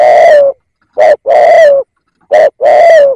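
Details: Lure call of a decoy spotted dove, rich resonant coos in pairs, a clipped note and then a longer falling one, the pattern heard twice and a half, clean with no other sounds.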